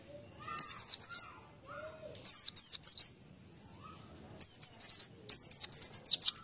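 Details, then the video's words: White-eye lure bird delivering four bursts of rapid, piercing high twittering notes, the last runs quickening into dense chatter, with soft lower slurred whistles between the first phrases. "Pleci | Burung Kacamata bahan pancingan"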